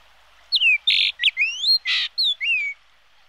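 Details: A yellow-billed grosbeak gives a string of about eight notes: clear whistles falling, rising and slurring, with two rough buzzy notes between them.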